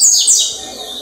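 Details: Double-collared seedeater song, kept by breeders, recorded Wednesday 4 October 2023: two quick, very high, sharp notes sliding downward, then a fade to faint hiss.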